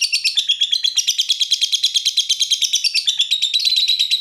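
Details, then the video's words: Lovebird described as a fighter in full 'typing' song: a continuous high, rapid, regular ticking chatter, about six ticks per second, with squeaky overtones throughout. "Burung Lovebird Suara Ngetik Dan Sama² Fighter."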